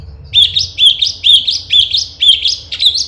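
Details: A bulbul (cucak cungkok), recorded as a tutor song for songbirds, sings bright, bubbly, slurred phrases in a high register, repeated about twice a second, with a faint low hum underneath.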